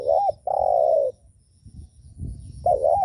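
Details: Spotted dove coo meant to provoke other doves: a short looping note, then a long steady coo lasting over half a second, a pause, and the phrase starting again.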